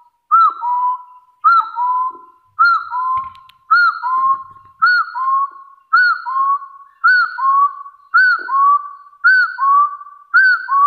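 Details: Hill partridge challenging rivals with its fighting call, a two-part whistle repeated steadily about once a second: a sharp arched note, then a lower level whistle, ten phrases in a row with faint soft rustling underneath.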